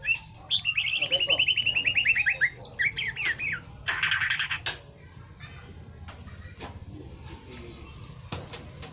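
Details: Aceh white-rumped shama lure song meant to stir other birds: a fast rattling trill of repeated notes about 2.7 per second, then buzzy squawks, fading into faint chirps over steady low noise.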